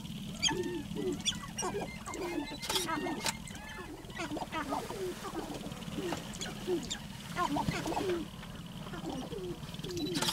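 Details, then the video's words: Male sharp-tailed grouse dancing on a lek to find a mate: several birds give quick low clucks, coos and whining notes with sharp rattling clicks, over a steady low background hum. "Sharp tailed Grouse mating dance"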